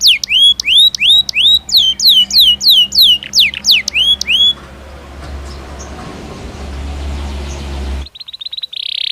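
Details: Belgian canary singing naturally: a series of loud, sweeping, falling whistles, several per second for about four seconds, then low rumbling noise and a brief high trill at the end.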